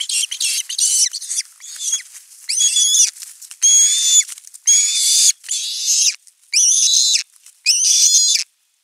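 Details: Osprey calling persistently for fish at a nest, filmed 10 August 2021 before a whole fish arrives; harsh, strained, high squealing calls in long drawn bursts, about one a second, over a hissing, rushing background.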